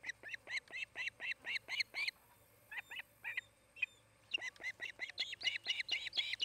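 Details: Osprey calling at its nest beside farm fields in Charlo, Montana: sharp, high whistled yelps in quick uneven bursts, a near-silent gap in the middle, then the piping picks up again faster toward the end.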